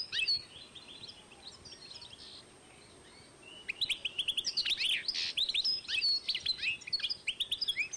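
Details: Hybrid of European goldfinch and canary from 2012: a quiet thin twitter at first, then after a lull a bright, rapid string of high chirps, slurred notes and trills running on for several seconds.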